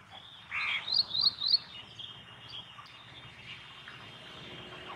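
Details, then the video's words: Ashy prinia (Prinia socialis) calls with a brief burst of three or four quick, high, chirping notes in about one second, then falls quiet over a steady background hiss. "Call of Ashy Prinia"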